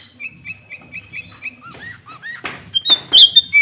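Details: Sooty-headed bulbul lure recording, a bird singing energetically to draw rival bulbuls: a run of short repeated whistled notes near two per second, then a louder burst of rising and falling whistles and buzzy notes.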